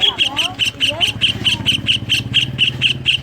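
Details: Greater green leafbird singing kingfisher-style notes, played to prompt other leafbirds to sing: steady rapid chain of shrill high notes, about four per second, over a low hum, with brief lower chirps early on.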